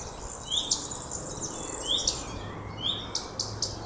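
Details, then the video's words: Common redstart (Phoenicurus phoenicurus) calling: three short, rising 'hweet' whistles about a second apart, then a quick run of dry ticking notes, over a faint low rumble. "Gartenrotschwanz rufend"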